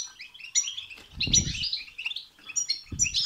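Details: Short burst of goldfinch song of the 'betbeta' and 'setseta' kind, aimed at provoking a goldfinch to sing: bright chattering phrases broken by two low fluttering thumps, the twitter rising again after each.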